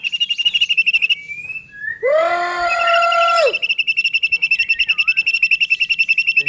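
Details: White-rumped shama, singing to provoke other shamas: a rapid, evenly repeated high trill runs through, interrupted by a harsh, rich, buzzy burst lasting about a second and a half.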